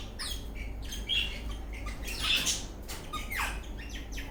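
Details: Eastern rosella parrot dancing in a happy mood, giving short harsh squawking chirps and brief whistled notes, some sliding downward, in irregular bursts about once a second, over steady low room hum.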